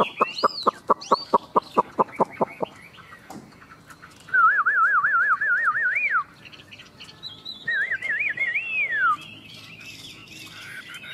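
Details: Chinese hwamei in a singing duel between two caged birds: a quick series of about a dozen clipped notes, then long wavering, trilled whistles that rise and drop away, repeated after a pause.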